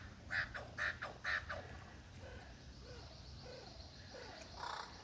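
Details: Superb lyrebird male in the Dandenongs performing imitations for a female: three loud, evenly spaced harsh notes about half a second apart, followed by soft low-pitched warbles and a final rough burst.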